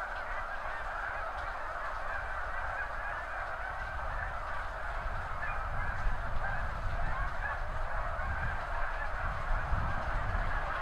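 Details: Snow geese by the thousands leave cropland near the seaway together at high tide, a springtime scene from a backyard, captured on a Nikon D7000 with an Azden SMX-10 mic. A massed honking chorus is continuous, and a deep rumble swells during the second half.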